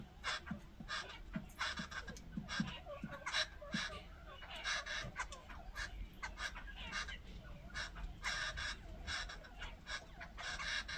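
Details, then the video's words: A group of jungle babblers chatters in harsh, rasping, squeaky notes in rapid overlapping bursts over a faint low hum; elders say this call warns other birds of danger. "Jungle babbler bird sound"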